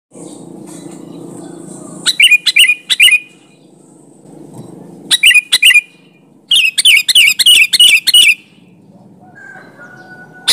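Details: Sooty-headed bulbul song, meant to lure other bulbuls into answering: bursts of bright, quick, bubbling chirped notes, first three short groups, then a run of about seven rapid notes, with quiet gaps between.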